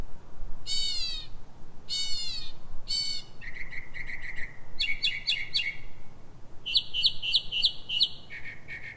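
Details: Northern mockingbird singing in the dark at 03:44 in Silver Spring, Maryland, USA: three harsh, raspy notes at a steady pace, then stuttering chirps in quick groups and a fast series of repeated bright whistled notes.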